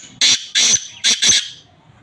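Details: Male black francolin calling: four loud rasping, buzzy notes in two pairs, coarse and broad-toned, delivered within about a second and a quarter, followed by quiet background.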